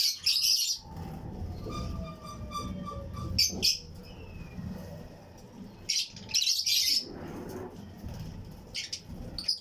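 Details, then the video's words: Colony of Fischer's and lutino lovebird pairs in a flight cage aviary, chirping and singing with other birds nearby; loud shrill chirp bursts separated by quieter gaps, faint thin whistles from other birds, low rumble beneath. "Fischers & Lutino Colony Chirping Sounds | Lovebird Aviary"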